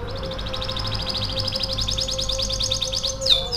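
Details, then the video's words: Canary song used to stimulate other canaries to sing: a fast, rapid trill of rolling high notes repeated about three or four per second, ending in a sharp descending whistle, with a steady faint hum beneath. "Suara pancingan kenari untuk merangsang burung kenari bunyi"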